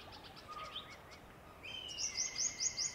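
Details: A pair of Wire-tailed Swallows perched on a swimming pool ladder in a Delhi garden before sallying out for insects over the water. Faint mixed twittering gives way to a run of sharp, high, upswept chirps repeated about twice a second.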